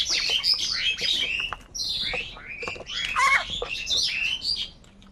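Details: Many crows fighting for food in the morning: dense, loud, harsh squawking calls overlapping almost continuously, with rough buzzy and scratchy notes from several birds, then fading at the end.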